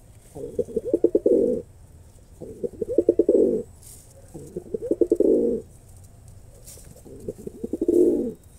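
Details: Male pigeon performing, giving deep, throbbing coos in four bouts of about a second each, repeated roughly every two to two and a half seconds, with pulsed, rolling notes and a quiet background.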